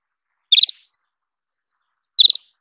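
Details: Isabelline wheatear giving two clear bursts of four or five quick, bright chirps, less than two seconds apart, in a quiet setting.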